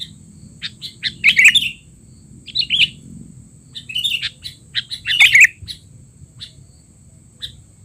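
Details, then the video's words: Sooty-headed bulbul giving noisy 'teler' chatter, used to train young bulbuls: scattered sharp chirps and brief scratchy bursts, two louder clusters near the start and middle, with quiet gaps between and a faint constant hum. "burung kutilang teler!! suara ribut paling cocok untuk kutilang bahan"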